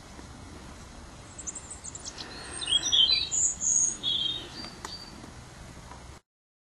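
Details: Long-tailed tit calling: a cluster of thin, very high-pitched notes and short trilled bursts over about two seconds, rising and falling slightly, with quiet background hiss before and after.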